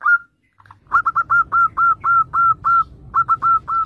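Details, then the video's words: Zebra dove in full active song, meant to stimulate untrained birds: one opening coo, a short silence, then two quick runs of short hooked notes, roughly four each second, clean and loud. "PERKUTUT GACOR syahdu buat Kelangenan Pancingan Perkutut Bahan"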